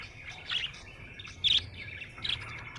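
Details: Happy budgerigar giving three loud, sharp chirps spaced roughly a second apart, with soft chattering between them.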